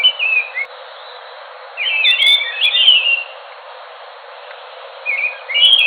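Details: Enggano thrush singing in bursts of clear whistled, warbling phrases, one short phrase, then a longer tumbling run of slurred notes, then a pause before a further rising whistled phrase, with a faint background hiss.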